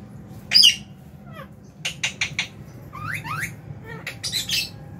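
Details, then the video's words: Lovebirds in an aviary at feeding time, January 2023, alongside a budgie; sharp high chirps and rapid rising squeaks in quick clusters, loudest early on, with faint low hum behind. "Lovebird Meal Time- Lovebird Chirping Sounds"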